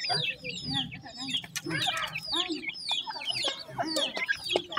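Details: A new pair of grey francolin (teetar) with chicks: a busy mix of rapid high peeps and lower chuckling clucks, many calls overlapping almost continuously.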